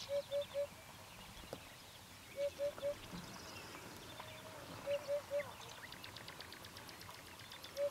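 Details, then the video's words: Eurasian hoopoe in Bulgaria in spring 2015 sings its soft, low, hollow 'oop-oop-oop' in triplets repeated every two to three seconds, with faint chirps of other birds behind. "Hoopoe Song"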